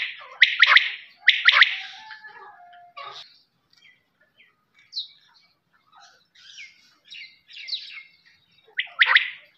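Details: Two clear three-note quail phrases at the start, then quieter scattered chirps and short notes, ending with one more sharp trisyllabic call.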